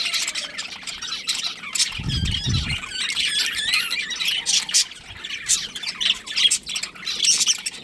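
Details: Colony of budgerigars, including a breeding pair, giving a steady stream of high twittering chirps and squeaky notes, with a short low thump near the start.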